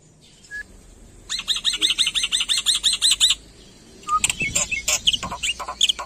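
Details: Black-winged myna singing gacor full isian: a brisk string of curved whistled notes repeated several times a second, then scattered sharp chips, clicks and varied mimicked fragments.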